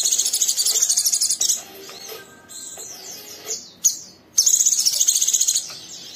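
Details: Young oriental white-eye in full song, a rough ngeriwik chatter that draws another bird into singing; dense, very high buzzy trills in two long bursts, with a few thin, falling whistles between them.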